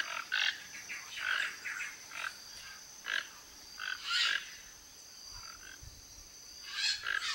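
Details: A flock of Toco toucans foraging for fruit and food around a backyard in Brazil give harsh, frog-like croaking grunts in short bursts at irregular intervals, over a steady high insect drone.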